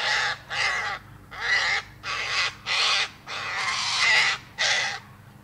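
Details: Eight grating cockatoo screeches come in regular, evenly spaced bursts, each loud and rough, separated by brief quiet gaps.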